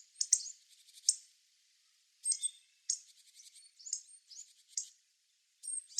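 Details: Hawfinch filmed at a distance, calling with high, sharp ticking notes in quick bursts, some run together into short thin chattering phrases, with pauses between groups.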